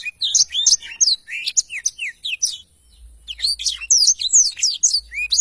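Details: Black-throated canary in vigorous song, used to tutor other songbirds: chattering high notes and slurred whistles, a brief lull near the middle, then more rapid twittering phrases.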